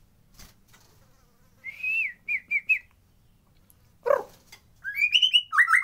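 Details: White-rumped shama, natural recording serving as a singing lure for lazy birds: sparse short whistles after silence, a single harsh note, then a rising burst of bright warbled phrases.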